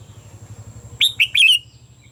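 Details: Red-whiskered bulbul in morning song for training caged birds: after a second of low humming background, a rapid bright phrase of three to four clear whistled, slurred notes follows.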